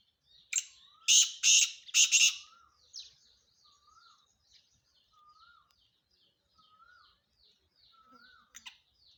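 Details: Black francolin (kala teetar), a young Sindhi male calling: three loud, harsh, rasping bursts in quick succession, then quieter thin falling whistles from other birds and a final sharp note.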